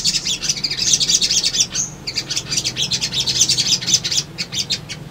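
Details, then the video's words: Lure recording of an excited male sunbird calling for a female and challenging rivals: long, dense run of high, scratchy chirping and twittering, broken by one drawn whistle, then quick stuttering notes resuming. "SOGON GACOR PANCINGAN BAHAN IJOAN"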